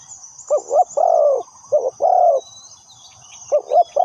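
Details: Spotted dove used as a lure bird for trapping, giving mellow cooing phrases of two short wavering notes then a longer drawn-out coo, about three phrases, over a steady high insect drone and faint chirps.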